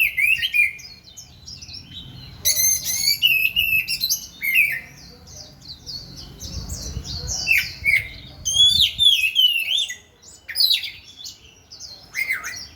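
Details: Oriental magpie-robin singing while dancing: loud varied phrases of whistles, sharp chirps and harsh squawky notes in irregular bursts, with pauses and some low rustling.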